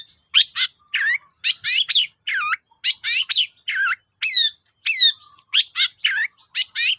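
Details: Long-tailed shrike singing as a lure for shy shrikes: steady stream of loud varied notes, harsh rasping calls alternating with sharply falling whistles, each burst about half a second apart.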